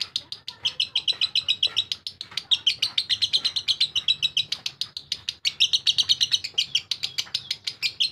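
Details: Lovebird ngekek: a sustained, rapid-fire chattering of shrill scratchy notes for over eight seconds, steady and unbroken, rising slightly in intensity around the middle and again near the end.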